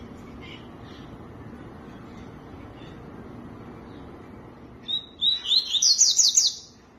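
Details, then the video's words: Several seconds of low background hum with faint distant chirps, then a tui-tui bursts into song: a high whistle leading into a rapid series of bright, steeply slurred notes. "CANTO TUI TUI"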